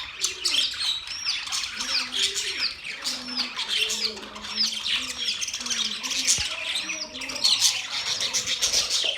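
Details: A group of budgies keeps up a steady high twittering, with fast squeaky chirps and short upward-flicking whistles repeating over a dense chattering background, the notes overlapping throughout.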